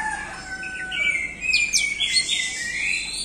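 Orange-headed thrush singing a rich, fast run of high whistles and sweeping slurred notes, densely layered with short chirps over a faint background hiss.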